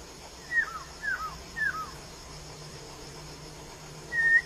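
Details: Wild laughingthrush uttering three brief downslurred whistles about half a second apart, then a pause and a longer level whistle; quiet, hissy background.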